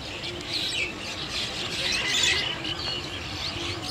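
Chestnut-tailed starlings give a busy stream of high, squeaky chirps and chattering notes that overlap throughout, with a faint hiss of background noise.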